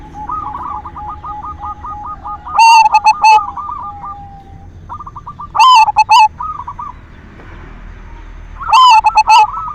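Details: Silver zebra dove singing actively, used as a lure sound to stimulate other doves to sing; three loud cooing phrases of clipped, stuttering notes roughly every three seconds over steady rapid repeated notes from other birds in the background.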